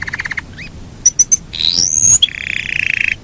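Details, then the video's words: Yorkshire canary singing a long rolling song: a quick stuttering trill, three high piping notes, a rising whistled sweep, then a steady buzzy roll to the end. "SUARA BURUNG KENARI YOKSHIRE NGEROL PANJANG"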